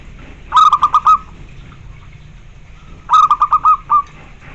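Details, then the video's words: Zebra dove singing to prompt other zebra doves to reply. Two phrases about two and a half seconds apart, each a fast string of short, even notes closing with a longer one, over a low hum. "Suara bikin nyaut semua jenis perkutut"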